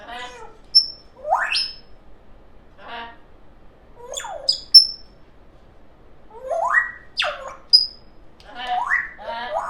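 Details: Young female pet African grey parrot producing assorted funny noises: quick upward-sweeping squeaks, throaty harmonic calls and sharp high pure whistles, spaced irregularly with quiet gaps.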